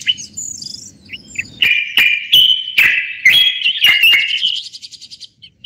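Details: Moroccan common bulbul singing in a live broadcast: soft high chirps over a faint low hum, then a strong run of rich warbled notes with sharp clicks, rising into a fast trill.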